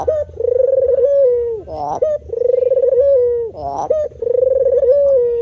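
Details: Cooing of a male puter dove in full performance. Three long, rolling, low coos are each preceded by a quick throaty upward note, and the phrases follow one another about every two seconds.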